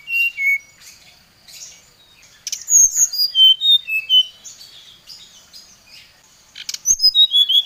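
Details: Agitated Oriental magpie-robin lure song aimed at a rival: two low whistles, quiet chatter, a loud run of stepped descending whistles, softer warbling, then another quick falling whistled series.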